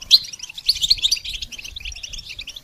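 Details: Goldfinch song for training songbirds, a short run of high sparkling chirps and twittering notes with a faint low rumble underneath.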